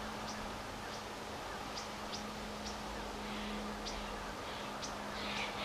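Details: Orange-crowned warbler feeding in dry, seed-rich thistles at Oxbow Nature Preserve, Reno, Nevada, in October 2018. Sharp, thin high notes are given singly, roughly once a second, over a steady low hum.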